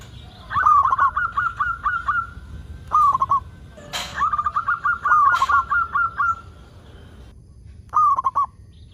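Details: Local zebra dove singing, played to coax other zebra doves into song: bursts of quick, rolling coos in a fast staccato run, separated by pauses, with a sharp click partway through.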